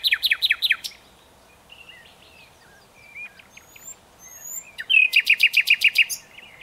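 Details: Luscinia megarhynchos singing: a quick run of loud downslurred notes, quiet whistled phrases, then a long evenly repeated series of about ten sharp notes.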